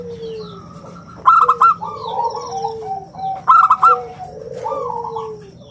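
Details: Local zebra dove singing in a round, crystal-clear voice, kept as a lure and song model. Two bursts of quick ringing coo notes, each trailing into lower sustained coos. Softer downslurred whistles and chirps of other birds sound in the background.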